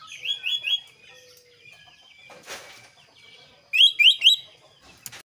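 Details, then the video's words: Kaso kaso bird in varied, clear, lively song: high, sharp slurred whistles repeated in short bursts, a quick trio early, then a louder run of three bright downslurred notes later, with a brief rustle between. "suara variasi burung kaso kaso gacor"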